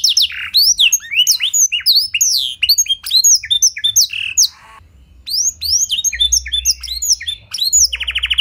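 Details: Canary song in blackthroat filling style, meant to prompt other canaries to sing: dense, fast high chirps and slurs, a short quiet break midway, then the rapid phrases resume and close with a buzzy trill.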